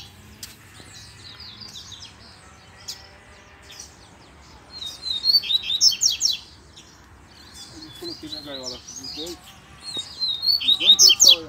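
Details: Wild double-collared seedeaters in the bush, where a chick was also heard calling; high, rapid warbled twittering phrases in three bursts separated by pauses, with a few lower clicks and faint background hiss.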